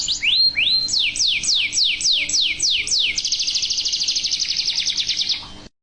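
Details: Yellow Belgian canary, male, singing: a run of about eight rapid falling whistled notes, then a fast, high buzzy trill sustained for over two seconds.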